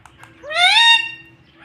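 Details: Pet parrot taught to speak words such as mummy and papa; a single drawn-out, nasal, rising then level vocal sound lasting about half a second.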